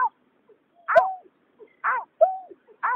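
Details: Male and female white-breasted waterhens, in a migratory night-bird trapping setting, give a few loud nasal croaks. Each bent low note is followed by a higher falling note, with short gaps between them.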